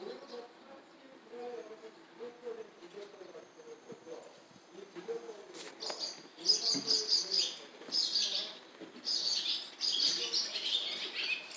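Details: Barn swallow chicks in a nest begging for food from a parent, near the Jeongseon passenger bus terminal, Jeongseon County, Gangwon Province, South Korea, smartphone recording. Quiet low hum at first, then from about six seconds, loud clusters of high, rapid, shrill twittering.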